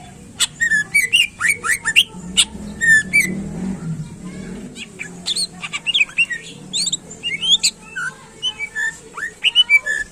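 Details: Greater green leafbird in loud, continuous song used to stir up competition birds, packed with quick whistled chirps, sharp downslurred notes and rising slurs delivered in dense bursts across ten seconds over a low hum.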